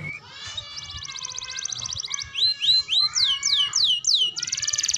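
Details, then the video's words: Canary song for training young birds: a fast high buzzy trill followed by a series of sweeping upslurred whistles repeated about three per second, ending in another dense trill, with faint low background noise. "KENARI GACOR TEMBAKAN ISTIMEWA LANSUNG RESPON MASTERAN TERBAIK UNTUK KENARI PAUD| BAHAN|DEWASA"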